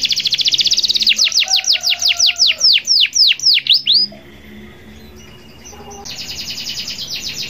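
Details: Local canary in full song, used to get other canaries singing: a rapid buzzy trill slows into evenly spaced, steeply descending whistled sweeps, then a pause and a thin, high, fast rattling trill.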